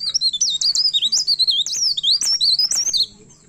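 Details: Myna in excited song while seeking a rival, delivering a continuous rush of high, bouncing whistled notes, several per second, for three seconds before falling quiet over a low background hum.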